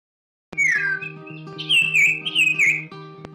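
Common Iora singing a clear, slurred whistle that falls, then a run of warbling, wavering high whistles, over a steady background music drone.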